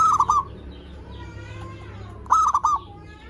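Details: Lure song of a zebra dove, meant to attract and excite other zebra doves. Two bright phrases, each of three rapid stuttering coos, open and close the clip, with a quiet murmuring gap between them.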